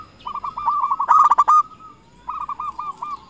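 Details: Local zebra dove, an active singer used as a lure to call rivals. A fast series of rolling coo notes crowds into a loud stuttering burst, then falls silent before a shorter run of hooked coos resumes.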